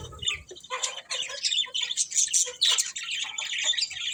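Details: Chattering pet budgerigars produce a thick run of high, buzzy chirps and sharp clicks, the warbling rising and falling without pause.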